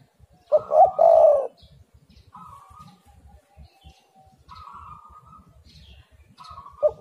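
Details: Spotted dove cooing as a lure for other doves: one clear phrase of a short note and a longer coo near the start, then a quiet stretch with faint tones, and the next phrase just beginning.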